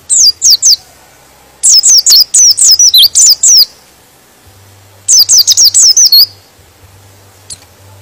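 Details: White-eye (pleci) singing in a way said to rile other white-eyes into joining in: three bursts of rapid, very high twittering with sharp downslurred notes, separated by pauses of about a second; a low steady hum runs beneath.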